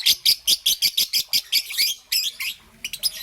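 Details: Rapid series of about a dozen evenly spaced, sharp high chirps, roughly six per second, then a few looser raspy notes, from a young green and yellow peach-faced lovebird in the morning.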